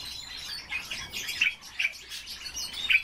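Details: Captive pet common starling singing on request, a short burst of dense chattering and squeaky notes with a few sharp accents, steady background hiss.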